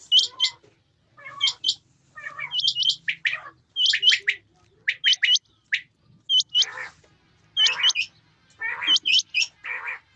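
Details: Male and female quail in rain call in dense clusters: high whistled hooks paired with grating, hoarse lower notes, repeated steadily over a faint low rumble.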